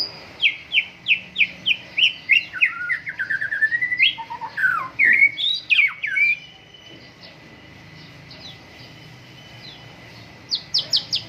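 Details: A white-rumped shama sings loudly at a morning dew airing: a steady series of sharp repeated notes speeding into a descending trill and tumbling whistles, then silence until a brief final burst.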